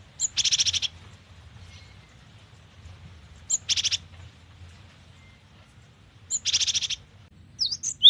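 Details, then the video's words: Cinereous tit, described as a lively singer full of variations, giving three harsh, buzzy bursts about three seconds apart, each with sharp high chirps, ending in quick squeaky notes over a low background hum. "GELATIK BATU GACOR || the melodious sound of stone sparrows"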